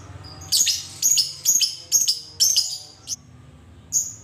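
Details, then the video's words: Lovebird giving its long 'ngekek' chatter, used to provoke other lovebirds into singing: loud, harsh, buzzy bursts of rapid high notes, roughly two per second, with a few short squeaky calls after. "suara lovebird ngekek panjang PINTAR BIKIN EMOSI LABET LAIN"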